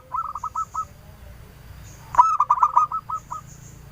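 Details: Local female zebra dove kept as a lure bird, with a clear voice that draws many answering calls: a faint rolling coo phrase, then a loud sharp note followed by a quick run of staccato, bubbling coos.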